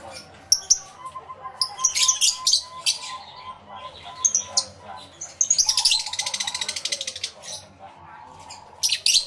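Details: Many lovebirds in an aviary, recorded using a camera and two external microphones; scattered sharp squeaky chirps lead into a stretch of fast, rattling shrill chatter, then a final loud squeak.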